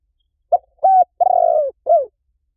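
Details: Decoy call of a spotted dove, meant to lure wild doves in fast: a brief coo, a held level coo, a longer gently descending coo and a clipped falling last note, clear with no background sound.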